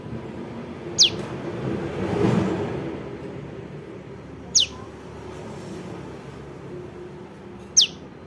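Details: Juvenile prinia calls used as a lure for trapping birds: three thin, high, sharply descending notes, each very brief and spaced a few seconds apart, over a low background rumble.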